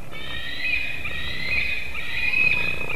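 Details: White-tailed eagle screaming at a Latvian nest at dawn in August as fish arrives, a steady, continuous thin whistled scream over soft background noise.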